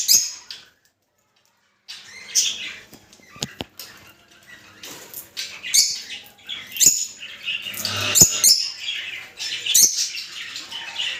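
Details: Mating call of Rosy-faced and Fischer's lovebirds, played to stimulate breeding: scattered thin, high squeaks and chirps, some clicking taps, and irregular shrill chatter after a brief silence.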